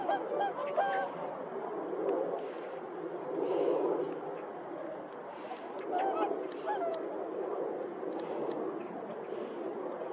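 Whooper swans give loud, nasal, trumpeting honks, several birds calling over one another in uneven bursts against a steady background murmur.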